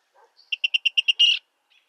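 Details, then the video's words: Virginia rail of eastern North America: a few soft low notes, then six evenly spaced high clipped notes about a tenth of a second apart, ending in a harsh buzzy rattle. "Virginia Rail Sound Clips"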